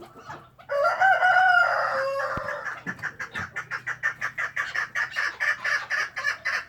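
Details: Pet chukar partridge (Alectoris chukar) gives one drawn-out, harsh nasal call, then a steady run of clucking chuk notes, about two per second.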